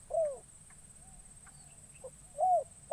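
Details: Newly trained decoy spotted dove on its first outing in a forest, calling to lure wild doves: two low, arched cooing notes about two seconds apart, a steady high hiss running throughout.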